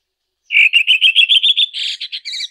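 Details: Red-throated thrush (Turdus ruficollis) singing in nature: after half a second of silence, a fast series of short, bright notes about ten per second, edging slightly higher, then fuller buzzy notes near the end.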